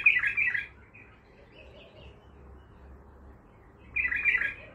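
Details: Untrained bulbul singing the Baghdadi style: a bright, chattering warbled phrase opens, quiet scattered notes follow, then a second rich burst near the end.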